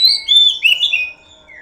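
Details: Oriental magpie-robin lure song: a short, loud phrase of pure whistles, a sustained high note, then several smoothly gliding tones stepping lower, ending in a soft fading whistle.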